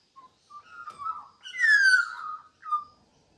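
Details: Protective, playful female magpie singing a litter of five puppies to sleep; short whistled notes build to a loud, clear, descending slurred whistle with rich overtones, ending in a brief upward-flicked note.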